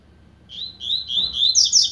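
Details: Double-collared seedeater beginning to warm up, singing a run of rapid warbled, slightly buzzy notes that steps upward into high, piercing twitters toward the close, in quiet indoor surroundings.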